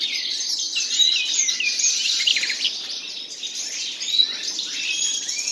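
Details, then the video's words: A pair of common nightingales singing: dense, overlapping high chirps, slurred whistles and quick rising and falling sweeps, with a short burst of rapid notes near the middle and almost no pause throughout. "моя пара соловьев"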